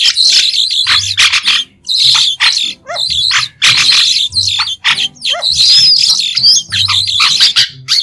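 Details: White-shouldered starling song, a continuous stream of harsh, scratchy chatter and squeaks with short downslurred notes and a few clear whistled slides, delivered in dense bursts with brief pauses, a low hum faintly underneath.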